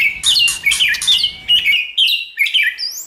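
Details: White-rumped shama singing to stimulate another shama into song: scratchy high bursts mixed with whistled notes, then pure rising whistles in quick phrases.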